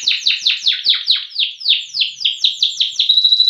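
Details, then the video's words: Singing loper canary, noted for long loud song: evenly spaced downward-sweeping whistles, about four per second, closing on a clear sustained high tone. "KENARI LOPER PRESTASI DURASI VOLUME LAGU MANTAP"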